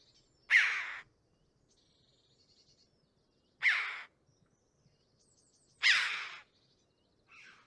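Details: Red-billed Chough calls described by the recordist as given in an alarm context: three loud, harsh, grating bursts about half a second long, two to three seconds apart, with a fainter fourth call at the end.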